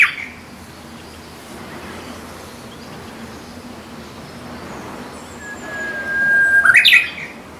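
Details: Spring song of a Korean bush warbler near bamboo growing on the hill behind a rural house: a soft rising whistle breaks into a sharp, loud flourish near the end, with faint high notes and open-air hiss.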